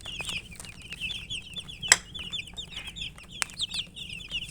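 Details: A flock of coloured chicks peeps for water as they eat. The shrill, rapid, falling notes overlap continuously, broken by two sharp clicks or taps.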